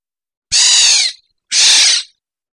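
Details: Kilyawan, the black-naped oriole, gives two loud rasping nasal calls about a second apart, each roughly half a second long and slightly descending, with silence between them.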